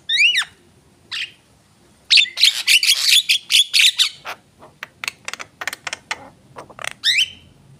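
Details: Excited song of a Javan myna: a sharp falling whistle, then a loud burst of scratchy chatter, trailing off into quick ticking notes and another slurred whistle.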